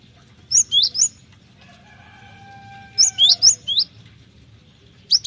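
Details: Cinereous tit singing as a training lure: crisp, high whistled phrases of four rising-and-falling notes repeated about every two and a half seconds, with a faint steady tone between phrases and a low background hum.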